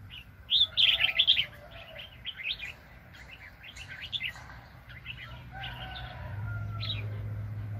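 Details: Wild red-whiskered bulbul, described as very spirited, at a trapping site in 2020: one loud, rich warbled phrase, then scattered softer chirps and short notes, with a steady low hum growing at the end.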